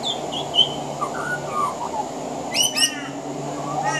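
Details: Pied butcherbird on a veranda in Australia, singing and mimicking other Australian birds: soft whistled slurs, then two sharp harmonic-rich notes in quick succession, against a constant low hum.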